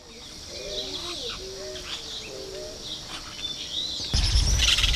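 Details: Plain parakeet (Brotogeris tirica), recorded 2 December 2012: a run of short, shrill, curved chirps repeated several times a second, with lower murmuring notes beneath and a burst of loud noise near the end.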